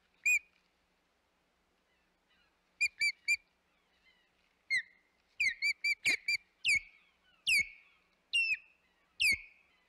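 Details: Osprey calling at the Hog Island nest on 25 May 2021: sparse whistled chirps at first, then louder, sharply down-slurred piercing whistles every half second to second, with a quiet background.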